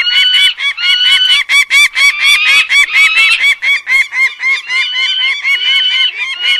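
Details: Repeated harsh, honking notes from a peregrine falcon, delivered rapidly and fairly regularly for over six seconds, with a few longer drawn-out wails mixed among the short clipped notes.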